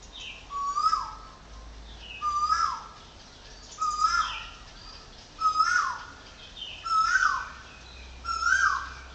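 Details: At a home in Chonburi Province, Thailand, a woodpecker repeats a loud call six times, about every one and a half seconds; each call is a sharp rising note that drops away into a ringing, slightly harsh tail, with softer calls in between.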